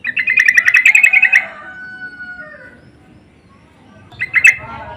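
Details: Insistent yellow-vented bulbul lure call answered back and forth: a fast run of rattling, chattering notes for over a second, trailing into a thin steady whistle, then a short loud chatter near the end.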